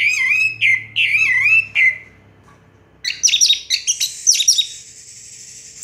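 Orange-headed thrush song: rich, slurred whistled phrases repeated three times, a brief pause, then a burst of high, scratchy, twittering notes.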